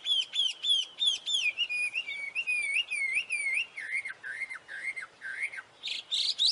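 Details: Lively song of a wild mountain tailorbird: a fast series of sharp high whistles, then repeated dipping slurred notes that gradually drop in pitch, ending with a few buzzy bursts.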